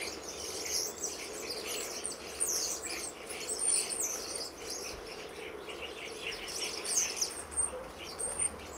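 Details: Common starlings in a garden flock numbering over 60 in autumn, October 2012; steady overlapping squeaks, clicks and high whistles, several sliding notes standing out, a constant busy murmur throughout.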